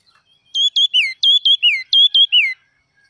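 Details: Forest red-whiskered bulbul singing a burst of three matching whistled phrases; every phrase has two short emphatic notes and ends in a longer descending whistle, then silence.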